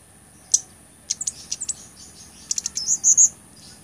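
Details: Blood-breasted flowerpecker song, a recording used to tutor other songbirds and to lure birds: very high, thin ticks and short sharp chips in loose clusters, ending in a few brief whistled notes.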